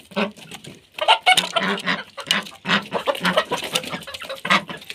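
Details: Chickens eating, with low, short clucks scattered through the clip over a steady dry patter of pecking and scratching; the clucks come in loose bursts rather than a regular rhythm.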